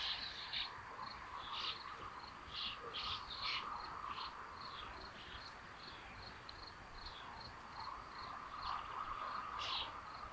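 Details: Nest of common buzzards at Tiszalök, Hungary, June 8, 2022, both babies sharing food: scattered shrill, smeared calls, some in quick clusters, against a continuous even ticking of insects and a faint hum.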